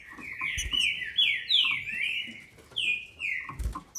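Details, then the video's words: Female green-winged saltator from a registered captive breeder in Brazil, sung to excite males: a run of clear whistled notes, each sliding downward, in uneven sequence, with dull knocking thumps near the start and end. "FÊMEA DE TRINCA FERRO para ENLOUQUECER seus trincas"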